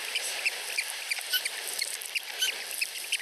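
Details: At a nest in Finland, two osprey chicks less than a week old beg as their mother feeds them. Quick, thin, high cheeps sound in a loose series over a constant hiss.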